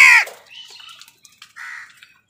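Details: Harsh, brief crow caw opening the clip as crows and wild birds fight over food, followed by soft scratchy sounds and a short rasping note.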